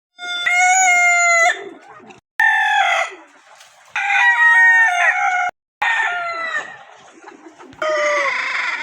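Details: A rooster on a desi chicken farm crows four times in quick succession, each loud, harsh cock-a-doodle-doo lasting over a second and separated by brief pauses.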